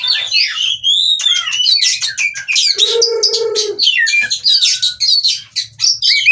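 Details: Displaying oriental magpie-robin in breeding condition from Cirebon: continuous sweet whistles and chirps with upward slurs. One harsh nasal drone cuts in midway, and soft low thumps continue in the background.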